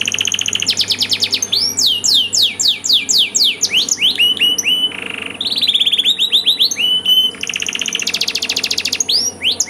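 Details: Training song for canaries, long and richly ornamented: loud high rolls alternate with series of steep downward-slurred whistles, a brief lower buzzy tour midway, then further fast rattling trills.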